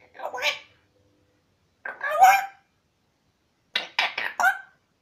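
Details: Captive twelve-month-old African grey parrot asking for a peanut indoors; three bursts of harsh, squawky vocal sounds separated by silent pauses.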